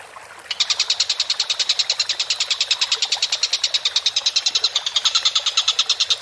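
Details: Collared kingfisher, locally called tengkek buto, calling vigorously: after a brief pause, a fast, harsh, buzzy series of even kek notes, about eight per second, runs steadily for nearly six seconds with faint background hiss.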